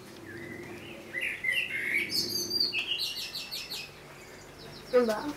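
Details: Common blackbird (Turdus merula) song: mellow warbled whistles rising and falling, then a rapid, repeated high twittering flourish, with a lower note at the close.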